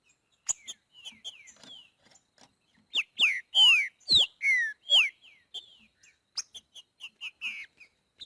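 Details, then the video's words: Green-winged saltator singing the boiadeiro song style in the wild: loud, clear whistled notes with sharp downward slurs and rising sweeps, grouped in a strong central phrase, framed by softer chirps and short repeated notes. "TRINCA FERRO BOIADEIRO CANTANDO NA NATUREZA"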